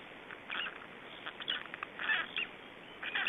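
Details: Three-day-old black stork chicks in a nest in Estonia, 2012, give short, rasping, nasal calls in irregular bursts, some closely spaced, over a steady background hiss.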